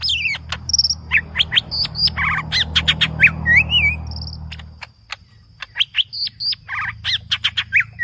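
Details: Green leafbird singing aggressively in a full, varied song: rapid sharp chirps, whistled rising and falling notes and trills in quick succession, with a steady low hum underneath that drops away near the five-second mark.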